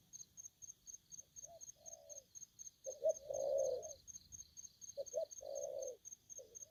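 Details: Spotted dove, aggressive: low, throaty coos in short phrases. Clipped pick-up notes lead into louder, longer, rolling coos twice. High ticking repeats steadily throughout.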